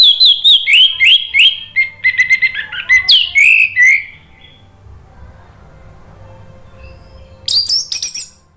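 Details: Orange-headed thrush song played as a lure to stimulate a bird that has stopped singing. Fast, varied burst of high whistled and chirping notes for about four seconds, then near silence, then another sharp burst of song.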